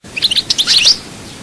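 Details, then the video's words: Brief burst of Chaayba-style goldfinch song from Souk Ahras, Algeria: a handful of quick, high tinkling chirps running into a louder, buzzy trill. "chant chardonneret souk ahras chaayba"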